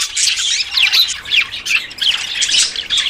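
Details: Courting budgerigars give quick, bright whistled chirps and squawks, roughly two or three notes a second, over a continuous background twitter of other birds.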